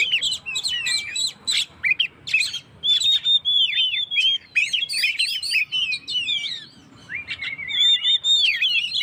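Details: Oriental magpie-robin in energetic full song, used to provoke and rouse stressed birds: varied whistled phrases, sliding and warbled notes mixed with short sharp chirps, delivered in quick bursts with brief gaps.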